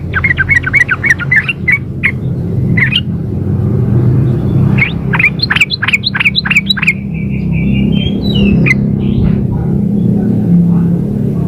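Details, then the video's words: Female sooty-headed bulbul calling the male: bursts of short, sharp chirps repeated rapidly, then a brief steady whistled note, over a low background hum. "suara pancingan trucuk betina memanggil jantan"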